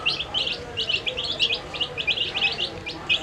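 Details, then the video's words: A group of dyed baby chicks eating food, calling in quick bursts of sharp, high peeps that crowd together almost without pause. "Funny Sound When Baby Chicks Eat Food"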